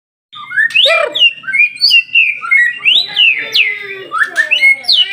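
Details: White-rumped shama singing loud, varied whistled phrases, sliding up and down with rich harmonics, short notes tumbling in quick succession, a faint low hum beneath.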